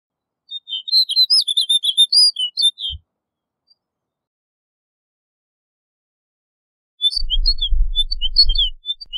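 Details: Snow bunting delivering a fast twittering song of high whistled notes for about two and a half seconds, silence, then a second phrase over low rumbling noise.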